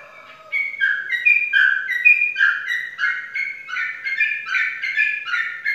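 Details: Contest-winning Sooty-headed bulbul, caged, Indonesia: a fast, continuous stream of clear, fluty, slurred notes stepping up and down in bubbly phrases, roughly three per second, with no other sounds.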